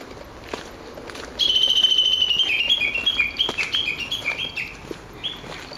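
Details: Japanese bush warbler in ecology-park woodland, 06/12: a sudden high, sustained whistled note that breaks into a descending, stuttering series of short whistles fading over about three seconds.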